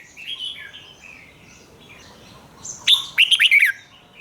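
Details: Red-whiskered bulbul kept in a cage, its doubled song used as a model for young birds to learn: soft chattering from other birds, then one loud burst of quick, slurred whistled notes rising and dropping in pitch.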